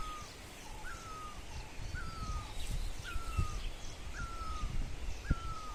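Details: Sunrise in Dharamshala with a bird giving a level whistled note that dips at the end, repeated roughly every second, over distant faint chirps and low rumbling noise.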